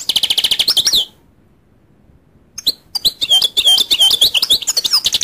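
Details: Rapid, rhythmic goldfinch twittering of bright high notes, a pause of about a second and a half, then renewed fast, liquid, tinkling song with some buzzy notes.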